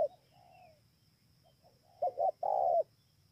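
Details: Spotted dove recorded 28 November 2017 at Bờ Y, Kon Tum, Vietnam: faint soft hooting notes first, then one loud phrase of two short coos followed by a long sustained coo near the end.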